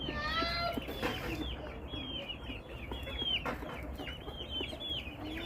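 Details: Chickens of a flock keep up rapid, irregular chirping: many short downward-curving notes overlap, with a brief harsh rising call at the start and soft clucking beneath.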